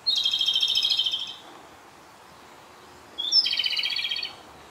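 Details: A Japanese robin, which stayed six days at one field, sings close by on its day of departure. Two phrases, each opening with a sharp high note and running into a fast, rattling trill, separated by about two seconds of quiet.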